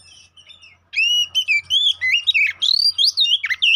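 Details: Oriental magpie-robin song used as a fighting lure to provoke the bird; after a faint start, a fast string of loud whistled slurs, upward sweeps and scratchy twists follows.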